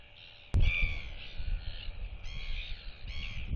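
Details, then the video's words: Royal albatross chick whistling while displaying to nearby chicks on 8.7.23 as neighbours clack; a sharp knock opens the recording, then harmonic whistled phrases rise and fall over steady wind rumble. "Royal Albatross ~ NTF Follows SSTrig's Footsteps & Displays & Whistles to UQ & Quarry Chicks!"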